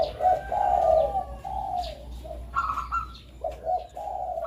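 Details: Zebra dove of the Bangkok strain giving melodious song meant as a master recording for training doves; repeated low rolling coos with a few higher notes, against steady low background hiss.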